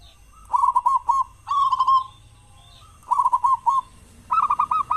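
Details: Local zebra dove with a big voice, kept as a lure for morning and evening singing sessions; short trilled coo phrases of rapid bubbling notes, four bursts in five seconds, the last slightly higher-pitched.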